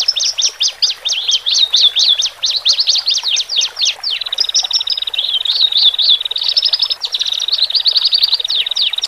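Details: Male and female Horsfield's bush larks singing, meant to calm birds newly separated into cages: a run of varied downslurred and looping notes gives way to a long, fast, even trill with bright chirps on top.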